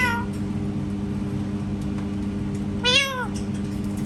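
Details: Parrot producing a cat-like sound indoors: one clear arched meow near the end, preceded by a faint trailing note, against steady low household hum.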